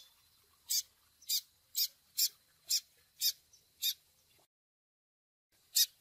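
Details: Begging call of a double-collared seedeater chick, for training a male with the Tui Tui Zel Zel song: about eight sharp high chirps, roughly half a second apart, over faint background hiss, then a short gap and one more chirp.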